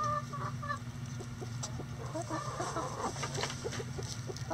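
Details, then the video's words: Several chickens in a coop on a sunny day make quick clucks and short murmuring notes in close succession over a continuous low hum. "Relaxing Chicken Coop Sounds On A Sunny Day"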